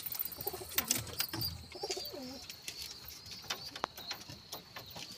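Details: Pigeon cooing indoors: two low, rolling, wavering coos in the first half, followed by quieter scattered clicks and rustles, with a steady high-pitched whine running throughout.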